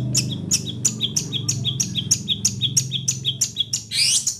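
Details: Long-tailed shrike from Situbondo repeating a sharp two-part chip, high then lower, about three times a second, ending in a scratchy flourish, over low background music.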